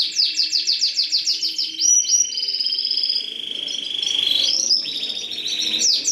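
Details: Canary song: a fast series of repeated downslurred notes, then long sustained rolling trills and a rising slide, ending with renewed rapid repeated notes, all high-pitched and loud.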